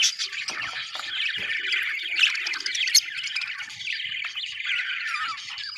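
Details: Several happy budgerigars, called Australian birds, chirping together: dense, continuous, scratchy warbling and chatter with overlapping squeaky notes, a few sharper squawks near the start and middle, and no other sounds.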